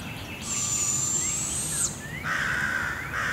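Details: Barred owl owlets, two young moving tree to tree while their mother brings food, at Devil's Den Campground at 7am. A long, harsh, hissing screech lasts about a second and a half, followed by a lower, steadier note.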